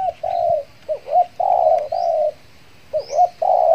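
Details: Spotted dove, a trained decoy bird luring wild doves after finishing its moult, cooing a rhythmic series of low notes: short hooked notes followed by longer steady coos, repeated twice.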